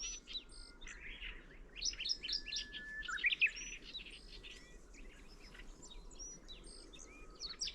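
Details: Middendorff's grasshopper warbler in song, a dense run of quick scratchy, chirping high notes peaking midway, with thin sustained whistles from other birds and a low background hiss.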